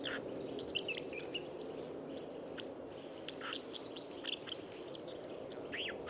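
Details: White-throated dipper by the Lieser river at Wittlich, Germany, 2019, giving a run of sharp, high chirps and short trills in quick, uneven bursts, partly masked by a strong, constant roar of rushing water.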